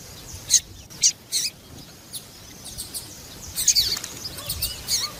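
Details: Piadeira female papa-capim, a calling female meant to get males singing: bright high chirps in pairs and triplets, a quieter spell, then a denser flurry of thin notes and faint whistles.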